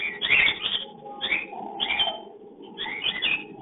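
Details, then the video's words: A breeding cockatiel pair, filmed by a hidden camera, calling during mating: four bursts of shrill, scratchy chirps about a second apart, with a soft lower hum underneath. "Love Breeding / sound voice (mating/Crossing) cocktail love bird"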